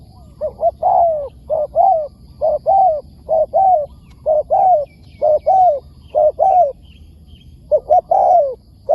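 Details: Spotted dove, a wild bird answering a decoy bird, gives loud cooing phrases: a short double coo followed by a longer drawn-out falling coo, repeated steadily over several seconds with brief pauses.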